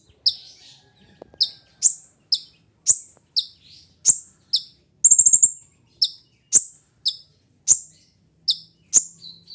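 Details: Kolibri ninja sunbird calls for mastering and luring: a steady run of bright, clipped high chips roughly every half second, broken midway by a quick rattling buzz, over a quiet background.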